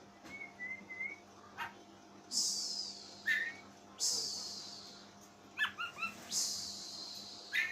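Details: Owner-kept Oriental magpie-robin making strange sounds: a few level whistles, then loud harsh rasping hisses, each lasting about a second, mixed with quick bright chirps, against a faint steady hum.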